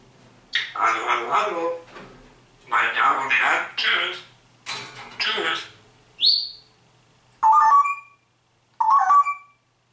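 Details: Talking grey parrot, a household pet, copying human phrases: several rough, voice-like word bursts, then one sharp rising whistle and two short, warbled whistles near the end, in a quiet room.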